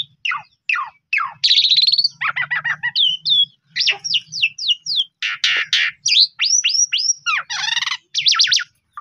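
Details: Asian pied starling singing a lure song to set off silent birds: fast descending sweeps, dense buzzy bursts and clusters of sharp whistled notes, nearly continuous with short pauses, faint low hum underneath.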